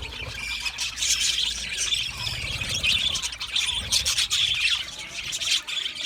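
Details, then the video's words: Australian budgerigars singing and chirping, a sound made when content or communicating with each other: a continuous dense chatter of high scratchy chirps, squeaks and warbles, rising and falling in loudness, with low background rumble. "Budgie singing and chirping sounds"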